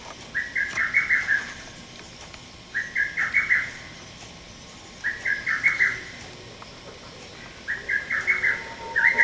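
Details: On 30 May 2017 a male lesser cuckoo repeats its sharp, stuttering phrase of quick clipped notes four times, roughly every two and a half seconds, against faint steady background noise.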